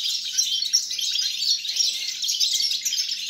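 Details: European goldfinch in song, 29 December 2022: fast, jumbled tinkling twitters and short buzzy trills run together in one lively, continuous phrase, a faint low hum in the background.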